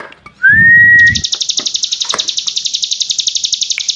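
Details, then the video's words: Hill prinia (cigun) singing in the rapid "ngebren" style: one clear rising whistle, then a fast buzzy trill of sharp notes, about four per second, held without a break. "Cigun Gacor Full Ngebren"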